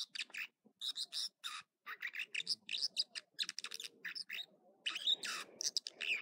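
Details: American dipper singing in the morning at Echo Lake in California's Trinity Alps: a fast run of varied high chirps, trills and whistled notes in short bursts with brief gaps, over a faint low murmur.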